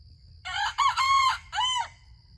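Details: Young homestead rooster whose crow once started and cut off, now sounding like a regular crow as he has grown: one harsh, harmonic cock-a-doodle-doo in several syllables, a long level middle note then a falling end, lasting about one and a half seconds.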